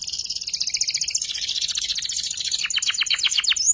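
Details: A young canary in ngeriwik practice, meant as master song for magpie robins and kacer, delivers a steady high rattling trill that breaks into faster, stuttering chip notes near the end.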